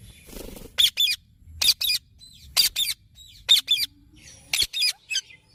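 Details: Harsh, scratchy squawks from a green parrot, mostly in quick pairs separated by pauses of about a second. Softer chatter sounds faintly in between.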